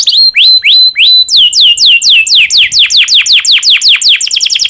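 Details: Domestic canary in breeding condition, its song meant to prompt other canaries to sing: a few long upslurred whistles, then a rapid series of descending swept notes that quickens toward the end.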